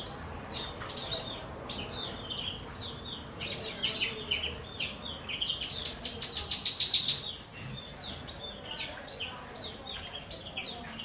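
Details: Captive common chaffinches in courtship and breeding condition in 2023, two females sharing one male; a loud, fast trill of repeated high notes rises out of a dense background of twittering aviary birds.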